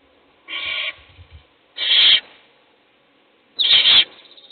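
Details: Owl feeding a chick in a nest box while other chicks sleep: three raspy, breathy hisses about one to two seconds apart, with light knocking sounds after the first.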